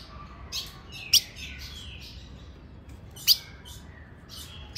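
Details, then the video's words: Female ultramarine grosbeak call, given in late afternoon to stir up a male: a few sparse, piercing high chips with soft downward-slurred whistles between them, long quiet gaps in between. "Essa Fêmia vai deixar seu azulão louco com esse piado e chamo"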